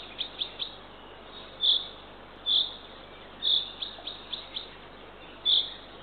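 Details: Eurasian eagle-owl female feeding her third owlet at a nest in Northern Estonia, early morning of 3 June 2023, 6:21 am. Scattered thin chirps mix with loud high rasps spaced about a second apart.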